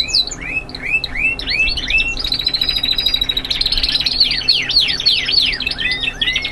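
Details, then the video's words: Classic continuous song of young Spanish Timbrado canaries: a run of looping rising-falling whistles, then a fast buzzy trill, followed by descending sweeps and arched whistled notes. "Timbrados clasicos or continuos /spanish timbrado classic"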